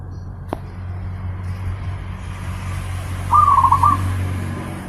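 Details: Zebra dove, kept as a pet bird, song used as a master recording for training other birds: one short cooing phrase, a brief rising note then a rapid run of soft rolling coos, over low steady hum.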